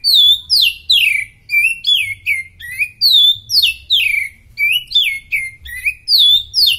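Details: Oriental magpie-robin in top condition, singing for use as a tutor recording: rich, varied whistled phrases, some sliding down, others sharp upslurred notes, delivered in rapid bursts about twice a second with no other clear sounds.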